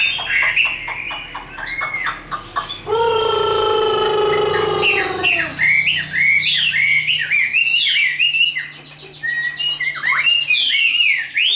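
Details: Tame caged Chinese hwamei with fighting song: quick whistled notes, then a long harsh nasal drawn-out note lasting about two seconds, followed by rapid sharp upswept whistles and twitters.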